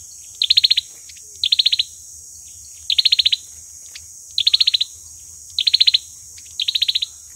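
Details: Olive-backed sunbird singing its fighting song as a trapping lure: six bursts of quick, sharp high chips, each phrase of about six notes, spaced roughly a second apart over a faint constant hiss.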